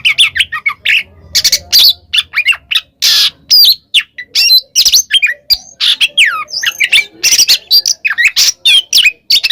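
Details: Oriental magpie-robin in ngeplong style, calling a rival: a dense, loud run of harsh squawks, sharp chirps and swept whistles packed with short gaps, with a brief low hum early on.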